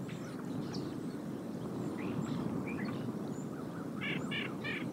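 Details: Bald eagle at the Decorah nest site in Iowa, perched on the branch called Maple 2 on 30 January 2022, giving a short series of three high chittering notes near the end over steady low background noise.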